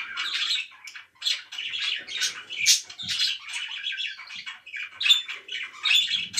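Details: Domestic budgerigars at home giving choppy bursts of raspy warbling and chirps, each burst lasting under a second with brief gaps between.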